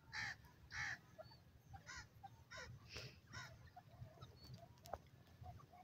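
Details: Grey francolin, the teetar of India and Pakistan, giving its distinctive dakhni teetar call: two loud harsh broadband notes near the start, then a run of fainter, shorter stacked notes at irregular intervals over low background rumble.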